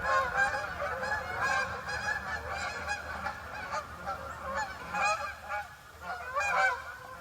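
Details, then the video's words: A flock of geese honking: continuous, overlapping nasal honks in a noisy chorus, with louder individual honks rising out of it every second or so. "geese honking makes things infinitely funnier"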